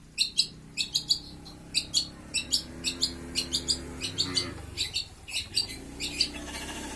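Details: Long-tailed shrike in a cage, set out for sunning, delivers a 'grojogan' song of crisp, high, clipped chirps repeated steadily about twice a second, sometimes doubled, over a low background hum.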